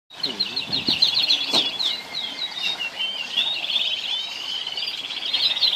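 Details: Orange canaries in Al Abdali, Kuwait, pouring out a continuous high rolling warble of trills and twittering, with wing flutters and a faint low voice in the background.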